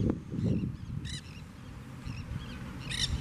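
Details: Nanday parakeets in Florida, loud and calling constantly, give two harsh screeches about two seconds apart, with fainter squawks between, over a low rumble of wind.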